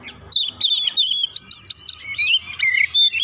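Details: Oriental magpie-robin lure song for birds slow to sing: a steady whistled note, a string of evenly spaced sharp high chips, then warbling looped whistles and a final clear tone.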